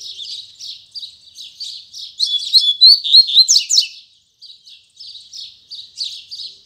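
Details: Double-collared seedeater singing firmly at daybreak, Tui Tui Zel Zel style. Soft buzzy chirps lead into a loud, tumbling burst of sharp whistled notes, and after a brief pause quieter rhythmic twitters resume.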